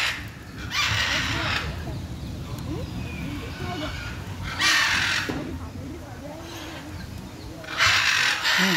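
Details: Macaws on 6 June 2022 letting out three harsh, broadband screeching bursts spaced several seconds apart, with people talking underneath between the calls.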